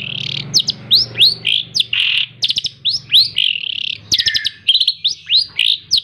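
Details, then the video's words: Hand-reared caged long-tailed shrike, fed insects twice daily and schooled on mp3 recordings, pouring out a continuous varied song of harsh buzzy notes, sharp rising whistles and staccato clicking runs. "Burung Cendet Gacor | full isian | tembak rapat"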